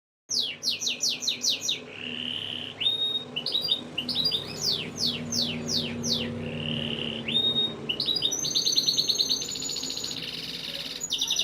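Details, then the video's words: Breeding-conditioning canary song aimed at females: a series of rapid descending sweeps, steady whistled notes, more sweeping trills, then a high fast pulsing roll. "Canary Breeding Conditioning Audio — Boost Your Female’s Mating Instincts"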